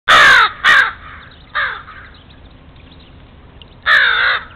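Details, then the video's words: Crows calling in a backyard while onto a stray cat: loud harsh caws, two close together at the start, a short one near the middle and a longer one near the end, over quiet background. "A very unwelcome guest...a stray cat...but it sounds like the crows are onto him!"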